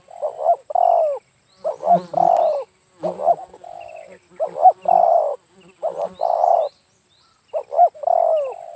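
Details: Spotted dove (terkukur) calling during a bird-trapping session near Dumai, Riau, Indonesia, where decoy birds are used; low mellow cooing phrases, each a quick stutter then a drawn-out falling coo, repeated about every one to two seconds, faint high chirps behind.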